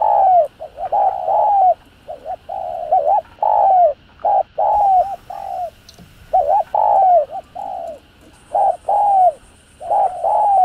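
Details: Spotted dove giving thúc gù style cooing used to provoke and lure decoy doves: series of low, mellow hooting notes, short doubled coos alternating with longer notes that slur downward, about 18 phrases a minute, faint high tone in background.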